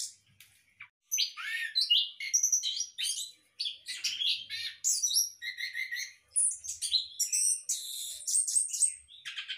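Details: Captive orange-headed thrush in a hanging breeding cage sings a lively, varied series of whistles, chips and buzzy notes, started after a short quiet opening.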